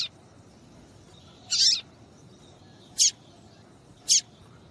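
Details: Female papa-capim seedeater calling, used to stir males into singing: three short, high, thin chirps spaced about a second and a half apart over a quiet low hiss.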